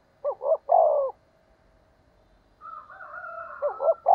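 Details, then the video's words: Decoy spotted dove calling to provoke wild doves: a loud double-note-and-coo phrase, a pause, then a higher, thinner wavering coo from another dove overlapping a second deep phrase at the end. "Tiếng cu gáy thúc bổi"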